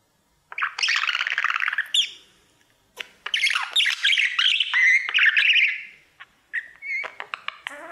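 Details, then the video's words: Pet male budgerigar singing to his mirror: dense buzzy chattering warble, a long burst of rapid scratchy notes, a pause, then a second burst with whistled squeaks and short chirps near the end. "Budgie sounds | Cookie and his Mirror singing"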